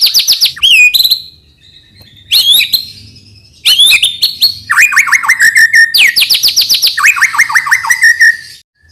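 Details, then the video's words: White-rumped shama, called murai batu, singing to encourage young birds to sing: sharp whistled slurs and short flourishes separated by gaps, then sustained rapid series of falling notes in fast repeated bursts. "suara burung MURAI BATU UNTUK MEMANCING MB BAHAN AGAR RAJIN BUNYI DAN GACOOR |SHAMA BIRD"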